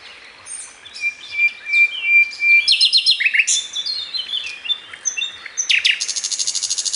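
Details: Singing bird delivers a long, flat whistled note, a jumble of rapid high twitters, then a fast, even rattling trill to close.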